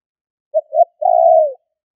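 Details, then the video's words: Spotted dove call used to lure wild birds: two quick low notes, then a long vibrating coo that drifts slightly downward, a single clean phrase with nothing else audible. "Tiếng chim cu gáy gọi thúc kích bổi nhanh nổi"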